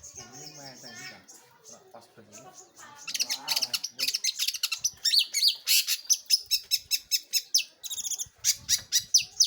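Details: Long-tailed shrike singing vigorously: soft warbled phrases build into a fast, harsh series of clipped chirps and buzzy down-slurs repeated more than twice a second.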